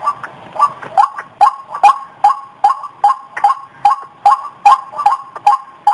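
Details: Lure call of a white-breasted waterhen: repeated harsh notes about two and a half per second, slightly uneven in timing, with soft low noise at the start.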